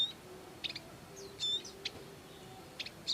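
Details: Wild Bar-winged prinia adults caring for young give sparse sharp high chirps, short clustered pips and one thin slurred whistle, spaced irregularly against soft background hiss.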